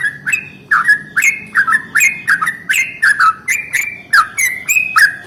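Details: Yellow-vented bulbul singing a long rolling song in the morning, used to provoke other bulbuls to sing: a fast run of bubbly, chirping notes, each dropping in pitch, about three per second, with no pauses.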